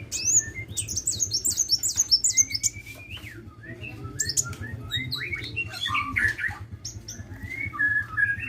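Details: Sunbird singing vigorously: opening run of rapid, very high twittering chirps, followed by scattered lower whistled notes and chirps over a constant low hum.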